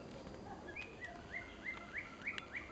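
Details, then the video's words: Female white-rumped shama giving a series of seven short, rising-then-flat whistled notes, about one every third of a second, over steady background hiss. "white rumped shama母鳥小貝"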